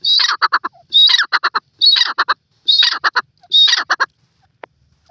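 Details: Five loud grey francolin phrases, each a piercing high rising note followed by a stutter of short rhythmic notes, spaced about every 0.9 seconds before the calling stops and near silence follows.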